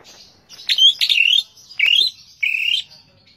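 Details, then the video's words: Greater green leafbird, known locally as cucak ijo, singing: a few bright, sweeping whistled phrases, some slurred downward and one rising, separated by short pauses. "bird leaf green action cucak ijo"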